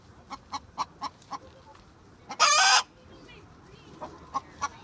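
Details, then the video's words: Several backyard chickens, one being loud: a series of short evenly spaced clucks, then one harsh, loud burst of squawking lasting under a second, followed by more scattered clucks. "Funny chicken sounds"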